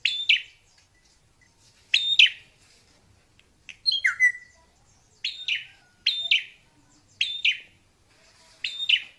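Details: Wild drongo giving sharp, metallic chip notes spaced a second or more apart, with one falling whistled slur in the middle, over faint background hiss.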